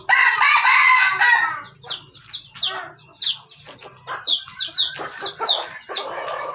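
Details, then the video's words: Junglefowl from Aceh, a decoy bird, gives a short harsh crow at the start, followed by rapid repeated high downward-sweeping chirps and scattered clucks. "Ayam Hutan Aceh"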